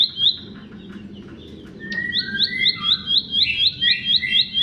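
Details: Bar-winged prinia song played to coax silent birds into singing. A high note opens it, then sliding whistles, then a fast run of sharp, repeated chirps, about four per second. A low background hum runs throughout.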